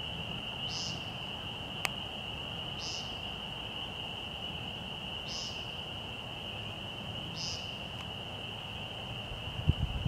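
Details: Woodcock in March twilight at Fresh Pond, Delaware Seashore State Park, calling near a parking area around 6:20 pm. Four brief, buzzy peents are spaced about two seconds apart against a constant shrill hum and low rumble, with a faint knock near the end.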